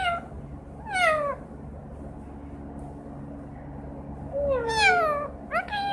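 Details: Pet green parrot copying a cat's miaow: two separate slurred, downward-sliding meow calls with a quiet pause between them, over a faint constant background hum.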